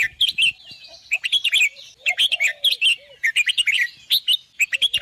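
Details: Red-whiskered bulbul song: rapid clusters of lively, chirpy warbled notes repeating roughly every second, with faint low whistles and a brief soft rising note tucked between phrases.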